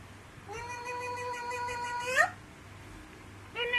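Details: Pet Alexandrine parakeet imitating a cat's meow. It gives a long, steady, nasal, harmonic meow-like note that ends in a sharp rising squeal, then starts a second meow, over a low background hum.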